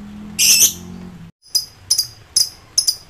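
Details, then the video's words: Agitated lovebird in ngekek song, calling rivals: one long, loud, harsh shriek, a brief silence, then four sharp high chirps about half a second apart. "Emosi tinggi.!! Lb ngetik NGEKEK koek memanggil lawan komplit"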